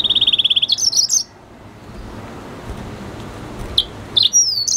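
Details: Red hooded siskin and canary F1 hybrid singing: a fast, even high trill of rapid repeated notes for about a second, then a few scattered sharp chirps over a quiet background hiss.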